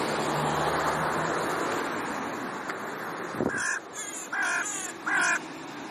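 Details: A pair of ravens, alone again in their territory after their young left, squabbling with neighbours: three harsh, rasping caws in quick succession near the end, over steady broadband background noise.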